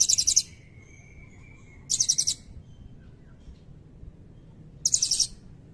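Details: Actively singing Blue-crowned hanging parrot in a long 'cililin' fill-in used to tutor magpie robins and white-rumped shamas: three short bursts of rapid, piercing high chirps, spaced about two to three seconds apart, with faint thin whistles between.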